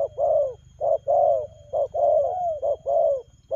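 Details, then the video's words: Spotted dove cooing in the fast 'lèo gù' style: a short low coo, then a longer slurred note that slides downward, repeated in quick pairs about once a second, with a faint low hum beneath. "Nết chơi nhanh lẹ, gù tốc độ.Clip445/ Nước chơi lèo gù."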